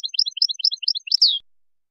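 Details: Widani-style composition by a Moroccan European goldfinch, 2019: a brisk series of paired chirps alternating high and low, closing with a loud, falling, slightly buzzy slur.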